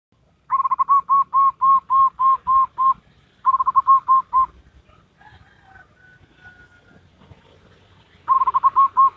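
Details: Local wild zebra dove singing in Salendro rhythm style: three bursts of rapid, evenly repeated low whistled coos, about four per second, separated by short pauses, with a faint thin whistle between bursts.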